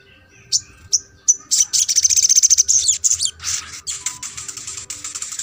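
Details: Sogon (little spiderhunter) in therapy audio for birds that seldom sing: a few high chips leading into long fast strings of sharp, rattling notes, loud and continuous over several seconds.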